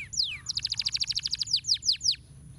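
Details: Short burst of canary master song for training birds. One descending whistle, then a quick even roll of about a dozen bright clipped notes, ending with three longer downslurred whistles.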